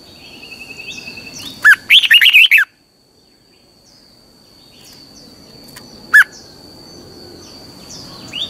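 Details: Red-whiskered bulbul morning song in the twisting double-voice style, for training birds: one burst of rapid rolling whistled notes, a lone short whistle a few seconds later, and a steady high-pitched tone and soft chirps throughout.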